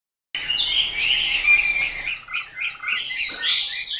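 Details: Chinese hwamei singing: a continuous stream of bright, varied whistles and warbled phrases, rich and fast-changing, with short clear notes repeated several times a second and no other sounds.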